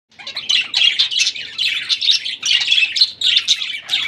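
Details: A colony of pet budgerigars in the evening chatters continuously with high, scratchy warbles and chirps.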